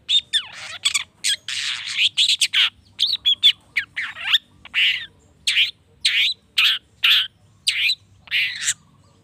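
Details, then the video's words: Long-tailed shrike song meant to provoke rival shrikes: a dense run of grating squawks and sweeping slurred notes, followed by evenly spaced harsh chattering bursts repeated about every half second. "PANCINGAN CENDET❗NAIKAN EMOSI CENDET MANAPUN AGAR CEPAT NYAUT LANGSUNG IKUT BUNYI"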